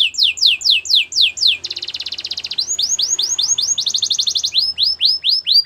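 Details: Belgian canary training song alternating series of loud down-swept whistles with short fast buzzy trills, repeated in clear groups, over faint low hum.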